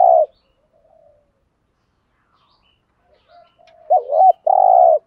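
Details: Spotted dove cooing, in a recording used to provoke wild males. A short coo opens the recording, then a long near-silence, then a soft wavering note and a final steady low coo.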